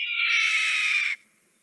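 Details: A Red-tailed Hawk (Buteo jamaicensis) gives one hoarse, raspy, high, harsh scream of about a second, ending with a slight downward slur; this call is often dubbed over eagles in movies.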